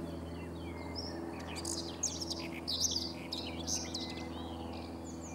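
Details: On 3 June 2017 on the Sava riverbank at Prečko, Zagreb, Croatia, a Common whitethroat gives a quick, scratchy, chattering song burst of a couple of seconds. Thin whistles of other birds and a steady low hum are behind.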